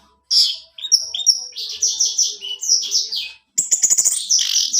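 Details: Orange-headed thrush singing vigorously, a recording used to set captive males singing: a continuous rapid run of varied high slurred whistles and chattering notes, a short break, then a dense stuttering trill of sharp notes.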